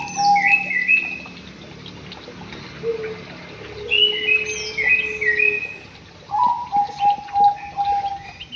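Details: White-rumped shama in an aviary sings rich, varied phrases: low whistles, a long level whistle, clusters of high slurred notes, and a closing series of rhythmic low whistled notes.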